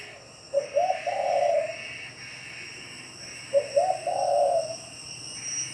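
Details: Two deep cooing phrases from a spotted dove in Bảo Lộc, Lâm Đồng, Vietnam. Each opens with quick short notes and ends in a sustained, throaty coo, over a soft continuous hiss.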